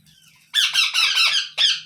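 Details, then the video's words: Indian ringneck parrot chicks fed one by one as the parent brings up food from its stomach after eating rice: loud, harsh, wavering squawks in a short continuous run, then one more squawk. "Ringnaeck Parrot Natural Sounds | Baby Parrot Sounds"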